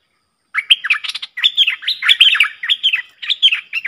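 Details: Pair of streak-eared bulbuls trading song in an intense duel, late October 2021. After a brief silence, a fast run of liquid, slurred notes, bubbling and repeated in quick overlapping phrases.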